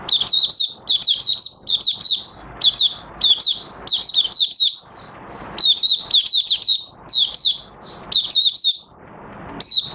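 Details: Mata Puteh Raja Oriental white-eye in song on 30 August 2022, new white feathers nearly pigmented; a sustained sequence of rapid, chattering high phrases, each one to two seconds long, about eight across ten seconds.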